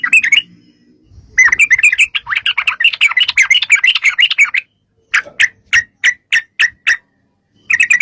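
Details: Sooty-headed bulbul lure song for getting bulbuls to sing back: a long, dense, rolling stream of chirps, then a series of separate sharp calls about three per second.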